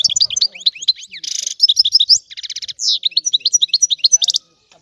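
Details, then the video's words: European goldfinch singing: rapid bright twittering of high tinkling notes, with a brief buzzy rattle and a run of quick clicking notes, fast and varied throughout. "تغريد الحسون"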